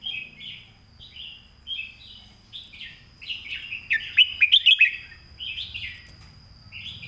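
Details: Red-whiskered bulbul master song for teaching other birds. Repeated short, fluty, slurred phrases are spaced about a second apart, with a louder cluster of quick bright notes mid-way. A faint low rumble and a thin constant tone sit behind.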